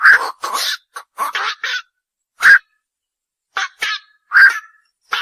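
Black-crowned night heron giving harsh, croaking kwok calls in short bursts, several close together and then spaced a second or more apart.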